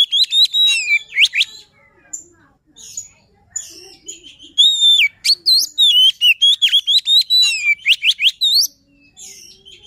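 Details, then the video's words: White-rumped shama luring song: loud, clear whistled phrases of rapidly repeated sharp rising and falling notes, with brief pauses between bursts. "Suara Pancingan Poci | Kicau Kacer Gacor"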